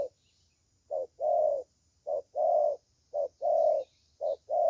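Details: Young 'thổ' voiced spotted dove cooing steadily: four rounds of a short clipped note and a longer, mellow drawn coo, evenly spaced, with a light background hum and a thin high-pitched electrical tone.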